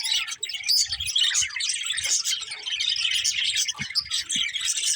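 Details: A group of budgerigars chattering, a continuous mesh of bright, fast tweets and warbled squeaks with a few muffled knocks underneath.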